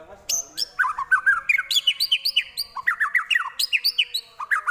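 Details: Shama pouring out copied prinia, kapas tembak and eagle phrases as a steady stream of sharp, descending chirps, about four per second, mixed with high thin whistles.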